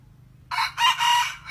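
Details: Practising decoy junglefowl cock crowing to attract wild red junglefowl: an abrupt, hoarse crow of three joined parts, loud and strained, with a faint low hum underneath.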